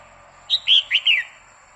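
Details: Female red-whiskered bulbul singing continuously to excite a male: a short phrase of four bright, slurred whistled notes, the first high and thin, the rest rich and dropping, under a steady faint high hiss.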